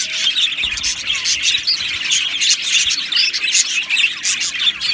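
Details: Budgerigar colony in an aviary, an overlapping mix of chirps, squeaky squawks and short whistled notes from many birds, with bursts of about one a second over a continuous chatter.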